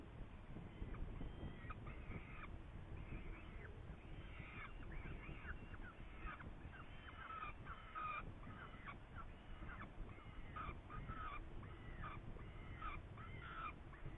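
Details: Saker falcon in Hungary on 8 May 2019, during a prey event: a long, busy sequence of grating, harmonic calls, many overlapping and repeated almost continuously, with a low rumble underneath.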